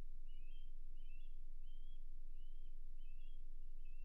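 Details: Osprey at the Hog Island nest on the morning of 7 May 2023, around mating and a fish delivery: six short whistled chirps, each rising then dipping, spaced about 0.7 seconds apart over a steady low hum.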